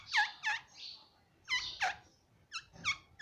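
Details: Pet Alexandrine parakeet (pahadi parrot) indoors repeating paired, strident, downward-bending shrieks with a hoarse buzzy tail, a pause, then faster clipped calls.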